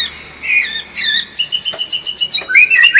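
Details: White-rumped shama lure song for building a combative spirit: a few slurred whistles, then a quick run of repeated high chirps, closing with looping, warbled whistles.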